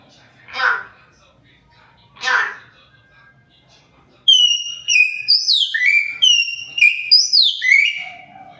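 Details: Hill myna talking in interaction with its owner: two short harsh bursts, then a rapid series of bright whistled notes sliding downward, repeated several times.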